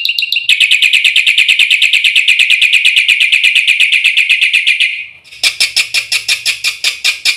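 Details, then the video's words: Black-winged myna song, full fill-in style, played as a tutor recording to spur caged birds into steady singing: a long, fast run of buzzy chirps repeated about three per second, switching to a higher, harsher rattling series. "suara burung jalak putih full isian RAJANYA PANCINGAN - MASTERAN bikin gacor"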